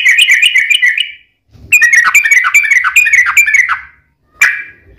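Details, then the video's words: Yellow-vented bulbul played as a lure to make other bulbuls sing, giving buzzy rattling chatter in bursts with brief pauses, closing with a single harsh note. "KICAU SUARA trucukan gacor ROPEL PANJANG pancingan trucukan agar bunyi"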